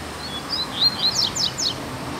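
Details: Double-collared Seedeater, black form, loose in the open on a Sunday: thin high whistles building into a series of loud, sharply falling notes spaced about a quarter second apart, with faint background noise.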